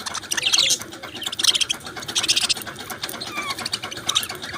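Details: Australian budgerigars chirping in a group: dense overlapping high chatter and warbling, with bursts of scratchy notes and short whistled phrases repeating roughly once a second.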